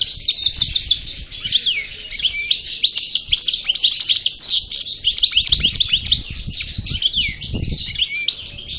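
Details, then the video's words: Song of a European goldfinch, parva type from El Bordj, after moult: a dense, fast stream of sharp chirps and tinkling twitters with downward-slurred notes, sustained for several seconds, with a few soft low thumps in the background. "Chardonneret Parva Cravaty D'el Bordj Sortie De Mue Repassage"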